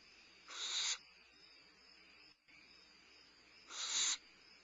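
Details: Barn owlet at Starr Ranch on 22 May 2011, eating at midnight and balancing on its wings as it limps; two raspy hissing screeches roughly three seconds apart, rising in loudness and ending abruptly.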